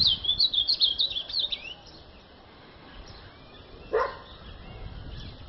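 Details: Ultramarine grosbeak giving a short burst of quick, high warbled notes lasting under two seconds, followed by quiet background and a single lower, dog-like sound.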